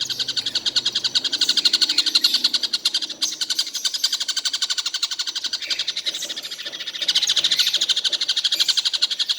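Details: Tengkek buto kingfisher heard calling all day without pause: an unbroken, fast series of piercing high notes running throughout, with slight swells in loudness and a faint low rumble at the start.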